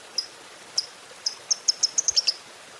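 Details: Lovebird giving high, thin chirps at a morning session meant to stimulate other lovebirds. The chirps are spaced at first, then quicken into a short, tight cluster near the end.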